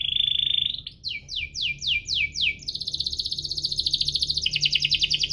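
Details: Canary singing 'cuit-cuit ngerol' as a prompt for reluctant singers: a steady high whistle, then a run of quick descending swept notes about three per second, breaking into a fast buzzy rolling trill.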